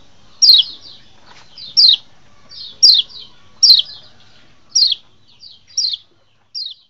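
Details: A wild Lombok white-eye (kecial) call, played as a lure to draw out and stir up wild birds in the forest, gives high, thin chirps that slide downward in quick clusters of two or three, repeating about once a second against a quiet background.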